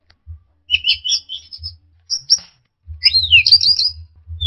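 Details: Orange-headed thrush in a recording meant to train songbirds: quick bright twittering phrases, then a looping sweeping whistle and high chatter, over low rumbling thumps.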